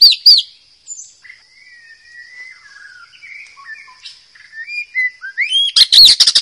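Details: Wild white-rumped shama singing, used as a model song for training young birds: thin whistled notes and a long high held tone, then a loud burst of rapid buzzy chattering phrases at the end.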